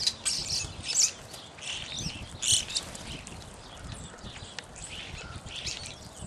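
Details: Several evening grosbeaks giving high, slurred chirps, some with quick rising or falling sweeps, loudest near one and two and a half seconds, then softer scattered notes against a steady low hiss of outdoor noise.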